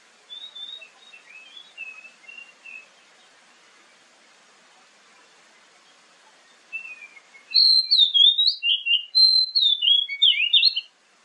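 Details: Oriental magpie-robin, whose song is used morning and evening to prompt other birds to reply. Soft, far-off whistled phrases lead into a loud, fast, varied stream of sweet whistles and slurs.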